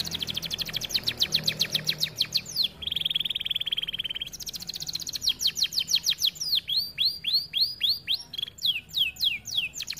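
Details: Canary in full, lively song, used as a tutor recording for training other canaries: fast rattling trills of high ticks, a steady buzzy trill held mid-clip, then rapid falling sweeps. The trills recur about three to four times a second.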